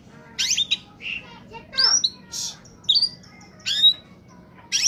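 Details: Oriental magpie-robin (kacer) in peak form, a lure recording for wild birds: a mix of short raspy bursts, scratchy chatter and a few thin whistles, uneven in rhythm, with faint background noise.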